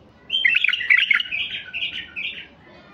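A White-eared Bulbul sings a rich, bubbling phrase of warbled whistles, slurred and chattering, lasting about two seconds before trailing off.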